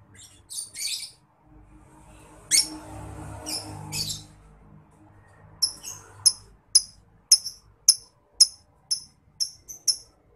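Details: Lovebird in ngetik style, a master recording for tutoring contest songbirds: scattered high chirps early, then a steady run of sharp, clipped ticks about every half second, with faint low background hum.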